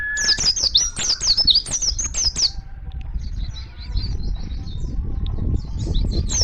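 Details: Oriental white-eye singing in the wild to call other white-eyes: loud, quick series of high, sliding chirps for over two seconds, then quieter distant twittering over rising low background rumble.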